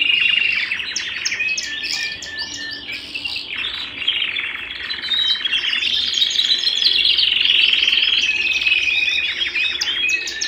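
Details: Domestic canary singing indoors, pouring out a long unbroken warble of fast rattling trills and sharp chirps that grows louder toward the middle, with brief whistled notes woven through; no other sounds stand out.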